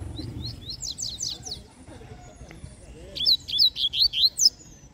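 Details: Double-collared seedeater, a caged bird set on a stake outdoors during an outing in the bush, sings quick high buzzy slurred notes in a burst, then about six sharp rising whistles, over low rumbling background noise.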